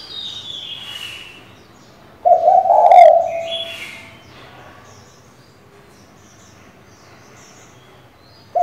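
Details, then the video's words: Calling female spotted dove luring a male, used to spur a decoy bird: a high descending whistle from another bird, then one low husky coo, and the start of another coo at the end. "Cu gái mái gáy, gù, thúc,... kích bổi cực hay, bổi mở mỏ ngay!"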